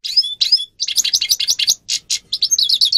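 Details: Grey-crowned goldfinch song for teaching captive birds, a quick jumble of chirpy twitters and short buzzy notes delivered in fast bursts.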